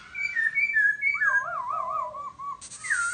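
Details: Sweet laughingthrush whistles: level and slurred notes, then a deep wavy warbling phrase undulating several times, closing with a burst of noise and a rising whistle.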